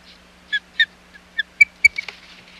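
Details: Osprey calling at the Hog Island nest on 25 July 2020 during an unsuccessful fish delivery by the male; a quick series of short whistled chirps, some rising, ending in a burst of harsher, noisier notes and knocks.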